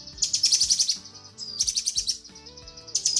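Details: A female cucak kinoi calls the male in this tutor recording: three bursts of shrill, rapid rattling chatter separated by a brief rising whistle and a quieter gap, with faint low tones underneath.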